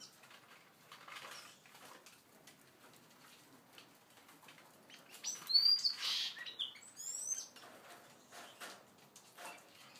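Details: Seagreen parrotfinches feeding and interacting; a burst of short, high, thin chirps and sharp tweets clusters in the middle, with scattered faint calls before and after and occasional soft wing flutters.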